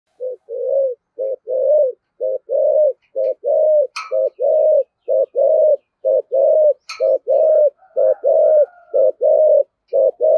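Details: Decoy spotted dove with a 'thổ' style voice giving rapid 'thúc gù' cooing: low, hollow paired coos, a short note then a longer one, repeated about once a second without pause. There are faint clicks and a soft higher whistle near the end.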